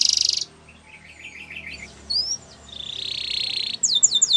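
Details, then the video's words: Canary singing for training: a softer passage of quiet warbled notes and a brief bright whistle, a sustained buzzy high rattle, then loud sharp repeated chips at the end. "Canary's Most Powerful Song For Training"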